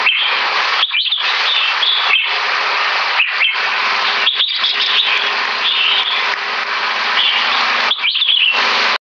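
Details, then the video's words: Competition red-whiskered bulbul, around three years two months old and placed top three in butir, pouring out rapid keke and butir song: a loud, unbroken wash of chattering notes with a few short gaps. "KEKE N BUTIR MACHINE"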